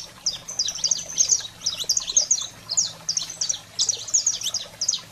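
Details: Saffron finch singing in the heated 'fogo selvagem' style, played to fire up canaries: quick, thin, high chirps and downslurred notes crowded into irregular bursts, with a soft mechanical hum underneath.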